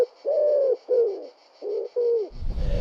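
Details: Common Wood Pigeon cooing in the city of Neuchâtel during lockdown: four soft, husky, low hoots in a steady rhythm, a phrase likened to "je suis un pigeon", ending in a brief rustling thump.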